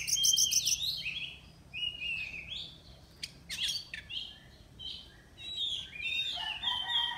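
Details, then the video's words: Oriental magpie-robin singing as a contest entry from Miri, Sarawak: a quick trilled burst, then separate clear whistles and buzzy chips spaced by short pauses, rich and varied. "Lomba Burung Online Kacer"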